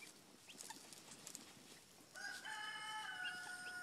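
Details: Young Frizzle Cochin bantam rooster crowing alongside bigger roosters: after two seconds of noisy background, a sustained, level crow begins and carries to the end, steady and harmonic against steady hiss.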